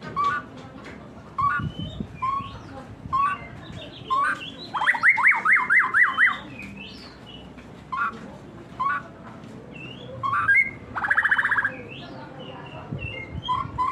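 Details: White-rumped shama song, said to provoke rival birds: varied clear whistled phrases separated by pauses, a fast run of repeated rising notes at about five seconds, and a harsh buzzy burst near eleven seconds, over low background rumble.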